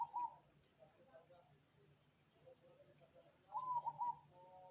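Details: Cemani zebra dove cooing: two short, soft, rapid coo phrases about three seconds apart, with quiet sounds between and a steady low hum underneath.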